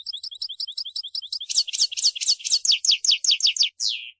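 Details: Energetic singing from a European goldfinch, known as mqnin: a rapid string of thin repeated chips that switches to louder, harsher descending notes about five per second, closing with one drawn-out downslurred note.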